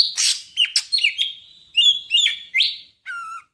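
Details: A greater green leafbird of the Medan type singing full isian, with a harsh opening, then a run of level and rising whistles ending in a lower wavering whistled note.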